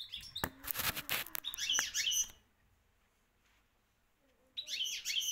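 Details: European goldfinch, a Moroccan champion singer, giving short bursts of bright twittering song at about two seconds and again near the end, after a loud burst of clattering broadband noise at the start and a silent gap.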